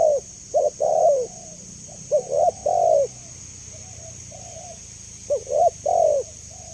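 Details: Spotted dove giving clear, mellow coo phrases: quick short notes followed by a longer falling coo, phrase repeated twice within seven seconds, over a steady high-pitched hiss.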